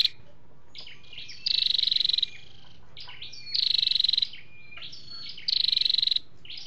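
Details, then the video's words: Flowerpecker (chim sâu đầu đỏ) voices, male and female, used as a lure for trapping or to excite a caged bird. Three bursts of fast, even, high trilling alternate with brief thin twittering notes. "tiếng chim sâu đâu đỏ"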